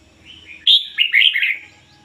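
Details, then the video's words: Ngoi bổi song from a decoy red-whiskered bulbul: soft lead-in whistles, then a loud bright note and a rapid cluster of rising and falling warbled whistles lasting under a second. "chim chào mào mồi hót ngoi bổi giọng chuẩn ko lấn tạp ôm"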